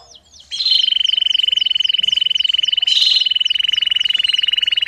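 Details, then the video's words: Domestic canary singing as training material for young birds: a long, loud rolling trill at constant pitch with fast descending sweeps repeated above it, starting after a short quiet moment. "CANÁRIO DO REINO CANTANDO E CHAMANDO ÓTIMO TREINO PARA FILHOTES!!!"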